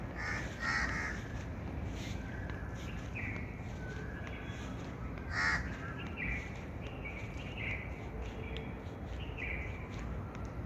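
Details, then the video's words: Outdoor bird chorus of scattered hoarse, caw-like calls, several overlapping and irregularly spaced, with one louder burst midway. A steady low rumble runs throughout. "birds chirping sound"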